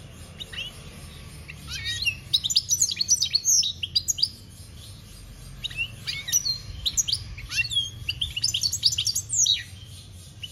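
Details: Campero-style song of a European goldfinch, 2021: a long run of rapid, liquid chirps and buzzy trills, high and jumbled, pausing briefly around the middle before resuming in dense clusters, with steady low hum underneath.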